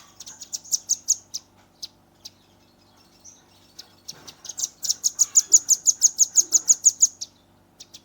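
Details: Young caged velvet-fronted nuthatch in its dense 'nembak rapat' shooting song, filmed on a Redmi 10 phone: a short run of high chips, a pause, then a long even machine-gun trill of about sixteen sharp notes.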